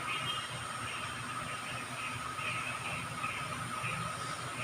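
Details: Steady hissing, rumbling noise like a passing vehicle or train fills the whole stretch, with no animal voice heard.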